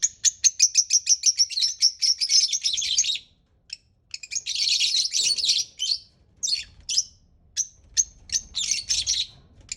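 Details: Pet parrot giving a fast run of repeated high chirps that merges into scratchy chatter, then scattered short tweets and another noisy burst.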